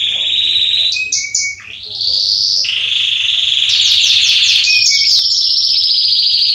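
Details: Male Belgian canary of the Salsa line singing, a recording meant to warm up other canaries: bright sustained rolling trills that switch pitch every second or two, with a few short whistled notes between phrases and a faint low hum beneath.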